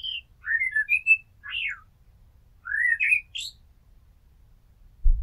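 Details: Common blackbird (Turdus merula), a house blackbird, singing fluting whistled phrases with rising and falling slurs, a pause, then another phrase ending in high twittering notes; low background rumble and a thump at the end.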